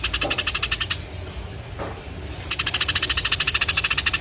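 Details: Sparrow chirping in fast repeated sharp notes, roughly three per second, with a brief quieter gap in the middle before the chirps resume.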